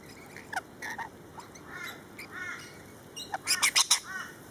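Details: Several lorikeets squabbling in a feeding frenzy, scattered raspy chattering squawks building to a rapid run of shrill, harsh screeches near the end.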